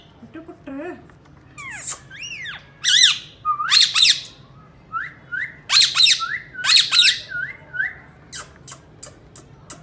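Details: Rose-ringed parakeet kept as a talking pet that speaks Urdu, here giving loud harsh screeches in clusters, interspersed with short rising whistles and low warbled notes, in a small room.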